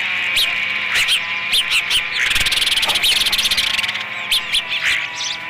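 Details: Osprey at the Dunrovin Ranch nest on 30 May 2016, third feeding of the day; short high upslurred whistles come in spaced pairs, broken midway by a fast buzzy rattling series.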